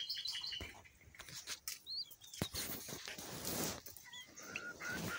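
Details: Pet pink-necked green pigeon utters thin, high, wavering whistles, then lower, short, bending notes near the end, mixed with loud rustling, thumps and handling sounds.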